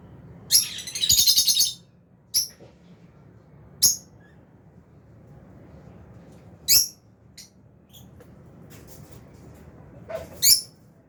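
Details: Shrill, rapid chattering from albino and Fisher's lovebirds in an aviary opens the clip, followed by isolated sharp high chirps every few seconds and a final cluster near the end.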